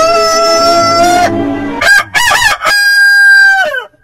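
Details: A rooster's long, steady crow holds level before breaking off, followed by short choppy crow bursts and another sustained drawn-out crow that falls away at the end.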